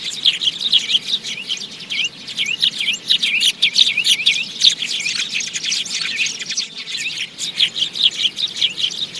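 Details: Sparrows in a lure recording used for trapping birds: a dense, continuous chorus of many high, sharp chirps and short descending notes, overlapping constantly with rapid, uneven bursts and no pauses.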